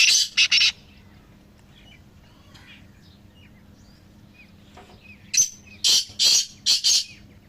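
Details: Three black francolins calling, used to strengthen a pet francolin's voice. Three harsh bursts open, then quiet, then a loud scratchy phrase of five rapid grating notes.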